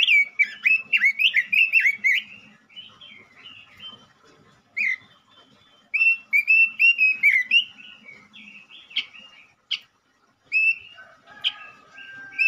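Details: Male robin in full song, used as a lure to stimulate other robins: bursts of clear, rich whistled phrases, warbling up and down, in quick runs with short pauses between, then a few sharp high notes near the end.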